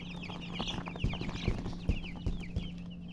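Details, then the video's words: Baby chicken chicks chirping: a flock of high, downward-sliding peeps overlapping rapidly, with dull low thumps knocking roughly every half second underneath and a steady low hum. "MURGI Baby "Chicks Chirping" Sound"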